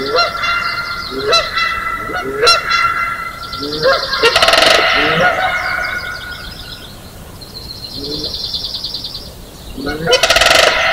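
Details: Canada Geese honking at Johnson Prairie's natural amphitheater early on the morning of May 4, 2016, in a noisy chorus with Sandhill Cranes. Short upslurred honks repeat in loose bursts beneath rolling crane calls and rattling higher trills.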